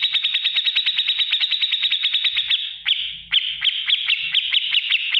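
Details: Cage-training recording of black-crested bulbul: a fast run of sharp, evenly spaced ticking notes, then a few louder slurred chirps with brief pauses between them.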